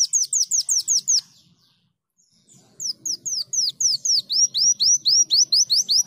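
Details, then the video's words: A greater green leafbird sings in canary style: quick, high, downslurred notes repeated about six per second in two bursts, broken by a second-long pause. "KOLIBRI DAUN GACOR KENARIAN"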